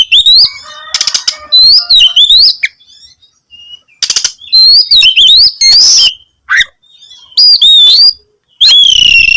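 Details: White-rumped shama singing actively while seeking a rival: loud, varied whistled phrases with rising and falling sweeps, interspersed with harsh buzzy bursts and brief pauses.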